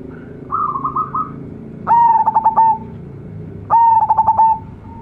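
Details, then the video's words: Local zebra dove, offspring of a champion decoy bird, praised for a brilliant voice. A softer rolling coo comes first, then two loud cooing phrases. Each opens with a rising note and breaks into quick stuttered beats on a steady pitch. "PERKUTUT LOKAL ANAKAN RAJA PIKAT SUARA CEMERLANG"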